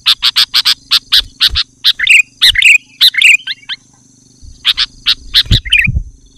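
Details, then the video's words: Afternoon calling by a male sooty-headed bulbul challenging a rival: a rapid run of about ten clipped chirps, then gurgling, tumbling phrases, a silent gap, and more chirps ending in a bubbly flourish. "Suara Burung Kutilang jantan Memanggil lawan di sore hari"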